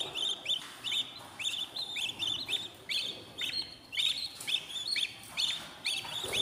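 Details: Budgerigar chicks at day fourteen in a new nest, producing rapid, rasping high chirps in pairs and triplets, continuous through the recording.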